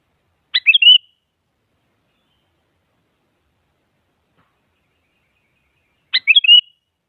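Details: Sooty-headed bulbul provoking a rival so a silent bird sings: two crisp phrases about five and a half seconds apart, each a few quick notes sliding into a short warbled whistle.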